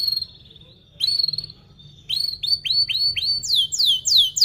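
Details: Canary lure song for young learners: long level whistled note, a short rising burst, then evenly spaced upswept whistles followed by loud downslurred sweeps repeated several times.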